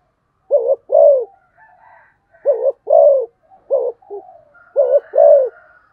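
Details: Rapid cooing by a spotted dove, low paired coos in three phrases separated by quieter murmurs, with faint higher whistles in the background.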